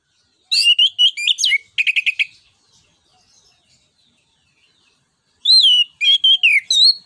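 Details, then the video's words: Orange-headed thrush, locally anis kembang, in full song to spur other birds: fast clusters of whistled notes mixed with buzzy stuttered trills, a silent gap, then more varied warbled whistles. "ANIS KEMBANG NGEPLONG NEMBAK BUAT PANCINGAN"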